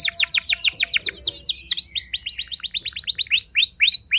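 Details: Canary song played to stir other canaries into singing: rapid series of steep downslurred whistles, then quick repeated upswept notes in a steady rhythm, bright and high.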